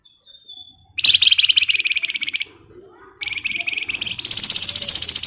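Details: Javan white-eye delivering tight, rapid 'ngebren' trills as a lure for songbird training: a thin whistle, then long, loud, high buzzy trills of fast repeated notes, almost continuous with one short break.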